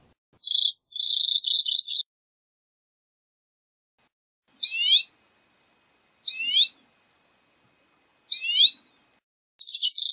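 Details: A common redpoll (Acanthis flammea) sings dry, buzzy trills and short twittering chatters between pauses.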